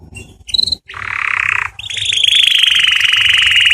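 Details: Mating song of a canary aimed at females: short chips, then a loud harsh trill, followed by a long, rapid, bright rolling trill.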